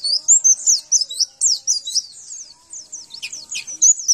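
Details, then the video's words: Javan white-eye training song to get kept birds answering: lively high twittering of quick downslurred and upslurred whistles, steady for about four seconds with a brief lull near the end. "Males bunyi Ini masterannya Di jamin langsung nyaut dan gacor kembali"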